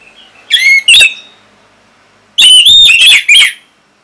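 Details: Orange-headed thrush (Geokichla citrina) from Singaraja, Bali, gives two loud bursts of rich, ringing whistled notes, high and sharply inflected, each a few quick notes about a second long, separated by a short silence.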